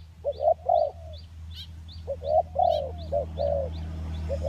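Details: Spotted doves, crossbred and village birds, cooing as a luring recording. Low mellow coos come in paired and triple phrases, with soft chirps from other birds and a steady low hum behind.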